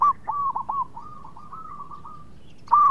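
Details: Zebra dove, local perkutut, singing as a lure so rivals reply fast; a quick string of soft cooing notes that flattens into a level trill, a short pause, then a loud new coo begins.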